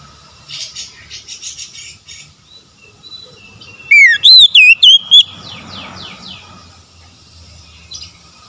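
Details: Oriental magpie-robin song used to revive a stressed, silent bird: soft rhythmic chatter, a sudden burst of loud looping whistles, then a run of softer descending notes.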